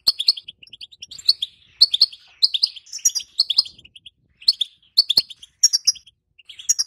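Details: Female European goldfinch calls, used to stir silent males into singing and to prepare them for mating: bright twittering chirps in quick bursts about every half second, high and clean, with no other sounds.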